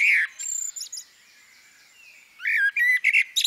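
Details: Female common blackbird giving short, rich warbled phrases, with a bright twittering burst at the start and a run of fluty mid-pitched notes mixed with high squeaky notes near the end, separated by a quiet pause.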